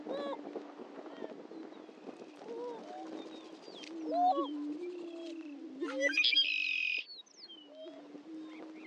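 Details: At a historic lek on Dunn Ranch Prairie, Hatfield, Missouri, greater prairie-chickens give a low steady moaning drone with scattered whoops and cackles; a brief loud hissing burst interrupts near the end.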